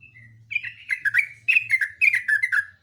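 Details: Lively gacor-style song of a Yellow-vented bulbul, continuous chattering run of bright liquid notes, each phrase slurring downward, delivered fast and close over a faint low hum.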